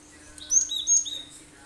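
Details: Cinereous tit singing sharp 'tembakan' phrases: two quick high whistled notes, each sliding down into a lower note, about half a second apart, over a low steady hum.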